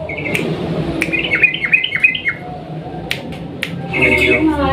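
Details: Sooty-headed bulbul used as a lure to prompt a quiet bird to sing, a long rolling style; bright chirping phrases stepping up and down, a pause with low hum, then a burst of twittering near the end.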